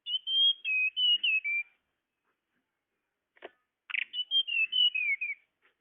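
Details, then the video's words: Tledekan lure call used to attract birds: a high whistled phrase of short sliding notes that steps gradually downward, a pause, a brief harsh buzz, then the whistled phrase again. "Suara pikat burung tledekan"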